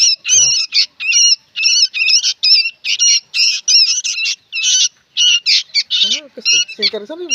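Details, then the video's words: Noisy young sooty-headed bulbuls give repeated harsh, quavering squawks, under a second apart. Deeper, wavering calls join toward the end. "SUARA BURUNG ANAKAN KUTILANG PALING RIBUT BERBUNYI"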